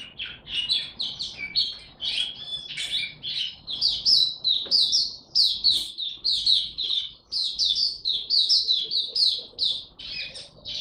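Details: Mata puteh (Oriental white-eye) opening its 'tiong aw' song during form ramp-up, 3 January 2022: sustained, lively sequence of high, quick downslurred chirps and trills with brief pauses.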